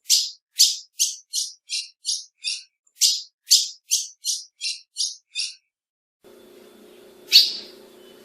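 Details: Female ultramarine grosbeak giving a rapid series of short, sharp chip notes, about three per second, for five seconds. A pause follows, then a single louder chip over a low steady hum.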